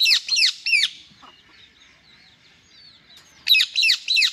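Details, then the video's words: Male Indian ringneck parrot calling angrily: loud, harsh squawks in quick bursts, three near the start and three more after a near-silent pause, each a rough descending screech. "Parrots Angry Voice Beautiful Male Parrot"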